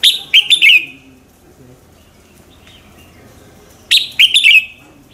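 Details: Red-whiskered bulbul singing a morning duel-style song used as a lure to stir other bulbuls into singing; two bright phrases of sharp notes sliding downward, separated by about three seconds of quiet.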